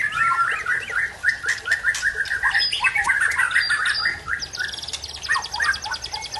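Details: Aceh white-rumped shama from Tangse performing its learned song repertoire: loud repeated whistled notes in quick series, mixed harsh squawky elements, ending with a fast high buzzy trill.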